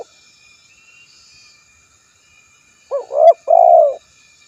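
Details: After about three seconds of near silence, a spotted dove utters a brief burst of three coos: a short hooked note, an arched coo and a fuller rounded coo.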